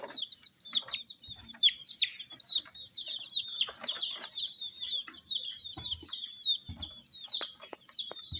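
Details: Colour-dyed baby chicks chirping near baby dolls, a clean, steady stream of high downslurred peeps from several birds, about one a second per caller, with only a few faint taps.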